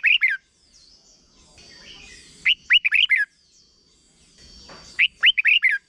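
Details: Short 'double' song of a red-whiskered bulbul, played for young birds to pick up: three quick phrases of lilting, bubbly whistled notes roughly every two and a half seconds, with faint high thin calls in between.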